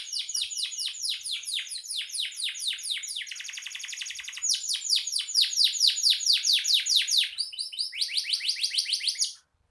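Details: Canary in energetic song for songbird tutoring: long strings of rapid descending high notes, a fast buzzy trill section, then loud repeated sweeping syllables before the singing stops abruptly.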